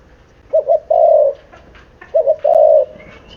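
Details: Spotted dove aged seven months gives two cooing phrases, each a pair of quick low notes leading into a sustained hollow coo, spaced about one and a half seconds apart.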